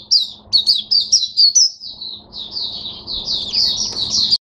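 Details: Oriental white-eye in captivity, 5 May 2022, opening with quick separate high chirps, then running into a dense, rising-and-falling twittering warble that stops abruptly.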